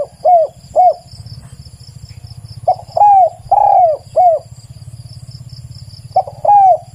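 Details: Spotted dove singing, with a very clear recording suited for use as a decoy: two short coos, a pause, then a phrase of three or four arched coos and another pair later, over a low droning hum and a thin high insect trill.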